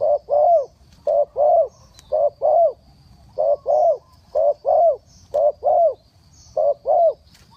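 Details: A spotted dove calls in the three-kuk trailing style to lure wild doves down. It gives low paired coos, each short note followed by a slightly rising-falling second note, repeated steadily about once a second over a quiet background.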